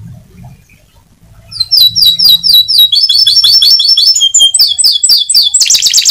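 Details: Atlantic canary singing loudly: after a quiet start, a fast, high, rolling trill of repeated chirps, about four notes a second, shifting into buzzier rapid rolls near the end.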